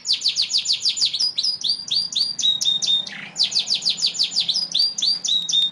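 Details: Yorkshire canary, an imported posture breed from Europe crossed from Lancashire and Belgian canaries, singing fast repeated trills of downward notes broken by short level whistles, pausing briefly near the middle before another trill run.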